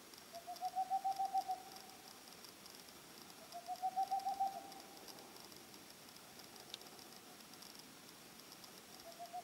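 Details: Boreal owl giving rapid runs of soft, even hoots at a steady pitch. Two full bursts of about eight notes come roughly three seconds apart, and a third begins at the end. A faint steady hum sits in the background.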